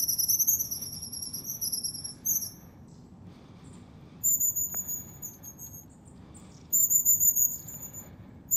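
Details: Wild long-tailed tits in Moscow Region, Russia, in January, calling with very high thin wavering trills in long strings, pausing, then resuming, with a single sharp click midway.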